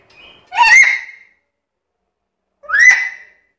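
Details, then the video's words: A black-capped lory, noted as chatty and able to talk, gives two short, harsh, nasal calls that rise and then fall, the first opening with a soft squeaky note. The calls are about two seconds apart. "BURUNG NURI KEPALA HITAM GACOR BISA NGOMONG SUPER CEREWET"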